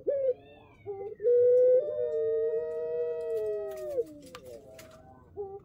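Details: Puter pelung, a male ringneck dove kept as a lure, gives a very long drawn-out coo held steady for nearly three seconds, slowly falling at the end, with shorter coos before and after.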